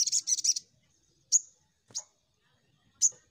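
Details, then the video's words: Lure call of a crimson sunbird meant to quickly set untrained birds singing. A short burst of rapid high twittering, then three separate sharp, thin, high-pitched 'tsit' notes about a second apart. "Pancingan Sogon Bahan Cepat Nembak"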